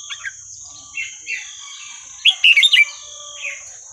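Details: Red-whiskered bulbul giving Burmese-style 3-4-5-6 song for training young birds: scattered soft warbles, then a loud, tight cluster of bright notes, over a steady high electronic whine throughout.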